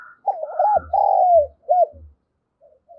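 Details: Spotted dove kept as a decoy, cooing to lure and stir other doves into calling. A full phrase of rounded hooting notes with a long sliding middle coo and a short closing note, faint thuds underneath.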